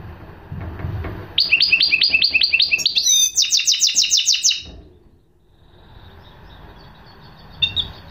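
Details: After soft background knocks, a goldfinch hybrid launches into a bright run of rapid high notes, then a tighter buzzy rattle, before falling quiet amid faint room noise.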